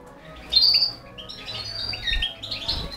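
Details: Balcanica goldfinch feeding four canary chicks; a strong high whistled chirp opens, followed by softer wavering tweets and squeaks.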